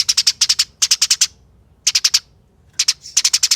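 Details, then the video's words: Dense, rapid rattling of a fighting Eurasian tree sparrow, a lure for other sparrows. Clusters of four to five grating notes follow close on one another, with brief silences between groups. "Pancingan Gereja Tarung Nyerecet Speed Rapat Bikin Gereja Lain Ikut Bunyi Gacor"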